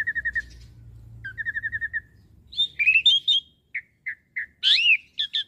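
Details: Asian pied starling master song: quick runs of short chirped notes, then varied warbling phrases, separated whistled notes and a loud squealing burst.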